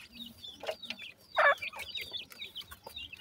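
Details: Young partridges in a forest making cute chirps: a string of thin, high, slurred chirp notes with one louder, fuller cheep near the middle and a few soft lower notes.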